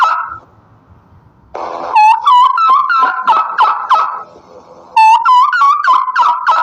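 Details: After a quiet start, a turkey gives two loud gobbles, each opening with bright ringing notes and breaking into a quick, gurgling rattle.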